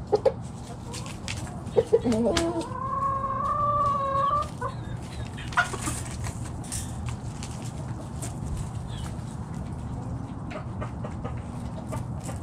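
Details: Backyard chicken flock foraging in the morning: scattered short clucks and soft chatter, then a drawn-out, wavering tonal call lasting about two seconds, over a steady low hum and some rustling.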